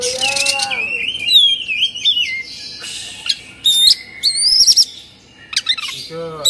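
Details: Agitated Oriental magpie-robin (kacer), in the 'kongslet' state with its tail fanned, giving long sliding whistles, sharp upward-swept notes and scratchy bursts, with brief pauses. A lower, harmonic wavering sound is heard near the start and end.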